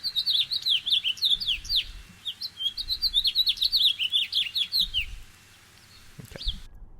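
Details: House finch song played as one of three finch songs for comparison: a rapid, jumbled warble of short slurred and downswept notes running about five seconds, then a pause and one final high note, with faint low room rumble.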